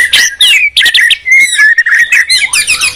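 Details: Two white-rumped shamas, Medan versus Borneo, dueling: loud fluting whistles broken by short sharp bursts, with a quick high twittering run at the end.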